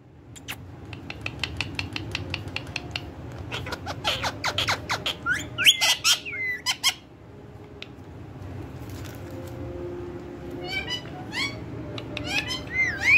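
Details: Pet ringneck parrot known for talking: a run of sharp tapping clicks, then harsh, harmonic squawks in a burst, a quiet pause, and further twisting squawks and chatter near the end, with room hum underneath.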